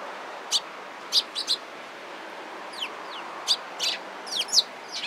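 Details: Several Eurasian tree sparrows flocking around a person on 27 April 2017 give sharp chirps and a few downslurred notes, spaced unevenly, sometimes in quick pairs, against a constant low rumble.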